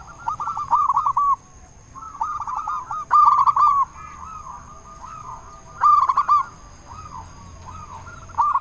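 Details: Zebra dove of local stock, a frequent loud singer used to provoke other doves to call back; repeated phrases of bouncy arched coos with pauses between, harsh bursts, and a faint steady high tone.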